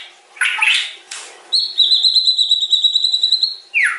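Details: White-rumped shama giving harsh scratchy notes, then a long steady high trill lasting about two seconds, ending with a descending whistled slur.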